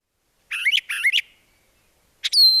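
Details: Brown thrasher (Toxostoma rufum) song, in which each note or phrase is sung twice before moving to a new one: a rich, scratchy warbled phrase delivered twice in quick succession, then a pause before a new, clearer phrase begins.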